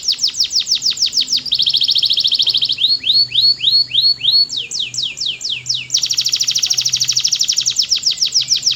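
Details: Powerful canary song made of distinct phrases: falling whistled sweeps, a sustained buzzy high tour, slower upward-curving notes, then a long fast rolling trill.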